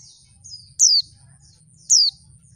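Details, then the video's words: Female oriental white-eye call used to make males sing quickly: two loud, high whistles dropping steeply in pitch, just over a second apart, with a faint thin note before the first. "suara pleci betina bikin ombyokan cepat ngalas"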